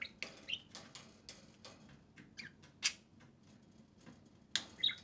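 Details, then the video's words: A pair of pet budgies play outside their cage. A thin, high chirp is heard near the start and again at the end, separated by dry clicking and scraping sounds. "Two social parakeets (budgerigars) play and speak"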